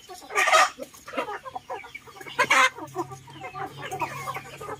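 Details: Chickens feeding in a garden with ducks nearby; overlapping clucks with two loud harsh squawks, one early and one midway, over a faint low hum.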